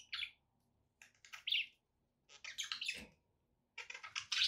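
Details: Pet budgerigars chirping in short bursts: buzzy, scratchy notes with squeaky high tones, separated by brief silent gaps, with a faint low hum beneath.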